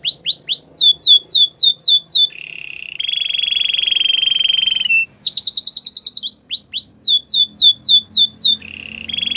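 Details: Belgian canary singing: bright repeated downslurred whistles in fast series, alternating with long steady rolling trills, rhythmic and loud throughout.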